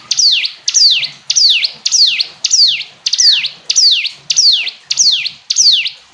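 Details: Hill prinia singing at a brisk, even rhythm: loud, high notes that drop sharply in pitch, about ten in six seconds, with no other notable sounds.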